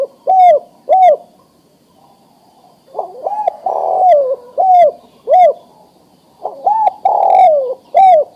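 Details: Adult male spotted dove, ready to breed, calling a female to mate: low hoarse coos in phrases of two short notes and a longer falling coo, repeated several times with brief gaps.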